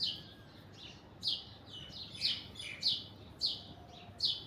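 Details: Alexandrine parakeet on an orange tree, sharp grating screeches repeated about every half second to second, each a brief harsh burst, over low steady ambient rumble.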